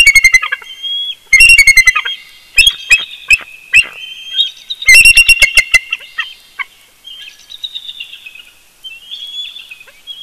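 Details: Bald eagle at its nest in Big Bear in early morning, picked up by a live nest camera. It gives loud, high, staccato piping notes in rapid bursts that trail into softer chirps, with thin whistles of small birds behind.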